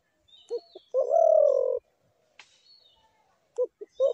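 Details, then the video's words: Spotted dove calling: two short soft coos lead into a long, slightly falling drawn-out coo, then after a pause another pair of short coos and a further note begins. Faint chirps from other birds sound in the background. "ঘুঘু পাখির ডাক"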